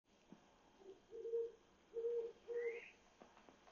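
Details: Owl perched on an electric pole in Mount Washington, Cypress Park and Glassell Park at 1:00 am on 27 July 2021: three low, steady hoots about half a second apart. Another night bird adds a brief rising chirp after the last hoot.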